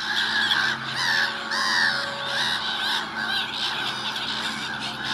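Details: Gulls in early spring, a flock calling together: harsh, harmonic cries overlapping continuously, with longer drawn-out wails rising and falling among shorter yelps.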